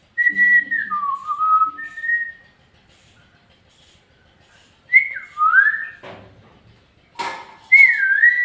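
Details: Pet parrot vocalizing indoors, said to speak "bye" at the end; clear whistled phrases that swoop down then level off, a pause, then more sliding whistles with a short noisy burst near the close.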